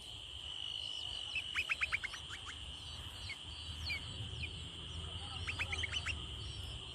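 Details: Hungry sparrow nestlings calling for food in the nest: short, sharp downward chirps in quick bursts of five or six, with scattered fainter chirps between, over a steady high hum and low rumble.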